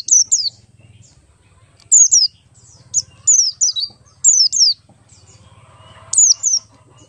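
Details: Ngalas singing of an Oriental white-eye, buxtoni race, meant to prompt other white-eyes to sing: sharp descending whistled notes grouped in twos and threes, spaced irregularly across several seconds, with a quiet low background drone.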